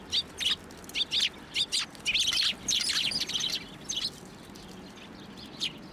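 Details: Hand-feeding sparrows at a Tenmangu shrine on 1 January 2024; short bright chirps about twice a second, swelling into a packed burst of chatter, then a few spaced chirps.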